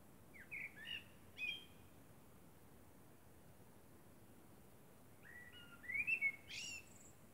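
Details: Common blackbird singing at night under the moon: short fluting, warbled phrases with slurred whistles, followed by a pause and then a richer phrase ending in high squeaky notes, over a constant low rumble.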